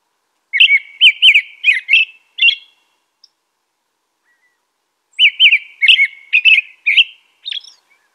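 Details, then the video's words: Carol of an American robin: two bursts of rapid whistled, warbling syllables, six notes then a pause of nearly three seconds before another run of about seven, each note slurring up and down. "American Robin Song.(Turdus migratorius)."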